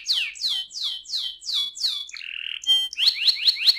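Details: Canary performing a rolling song that serves to stimulate other canaries: six loud falling whistled sweeps at a steady pace, a short buzzy roll, then a fast series of rising chirps.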